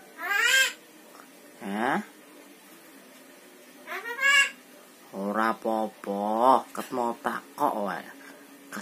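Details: A talking Javan myna imitates human speech such as "bapak", "mamak" and "apa pak" in short, voice-like phrases with harmonic tones, mixed with sweeping whistled notes, in about a dozen bursts over nine seconds.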